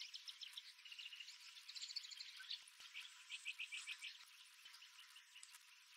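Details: Several birds calling in the early morning around Wolfe Creek Crater, a desert site in the Kimberley, Western Australia, recorded on a GoPro Max 360: quick series of sharp high chips and trilled phrases, lively and overlapping.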